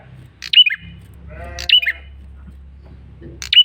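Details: Three sharp, high, downslurred chirps from a male red-headed prinia giving a lure call, spaced about a second apart, with a drawn-out nasal bleating sound between them and a low hum.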